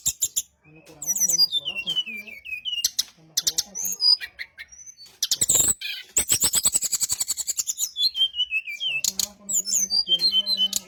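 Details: Brown-chested jungle flycatcher singing a lure to provoke replies: descending whistled slurs, crisp high chips, then a long rapid rattling trill and more sliding whistles, all loud and tightly packed.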